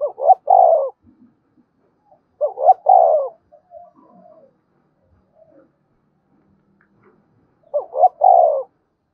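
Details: Spotted dove repeating its coo phrase in the 'gáy thúc' and 'gáy gọi' styles, about every three seconds. Each phrase is two short rising notes and a longer, loud, falling coo, with faint soft sounds between.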